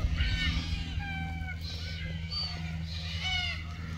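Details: Red-tailed black cockatoos in Keep River National Park, June 2023, filmed mating. Harsh rolling calls with strong overtones repeat several times within a few seconds over a steady low hum.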